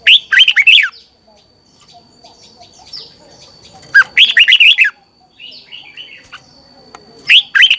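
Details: Red-whiskered bulbul training song in the morning, meant to excite other bulbuls into singing: three short, lively bursts of quick slurred warbles, with soft distant chirps between phrases over a faint steady whine.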